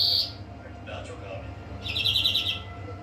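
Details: European greenfinch song: a brief trilled burst at the start, then a fast buzzy trill of rapid repeated notes lasting about half a second, over a low steady hum.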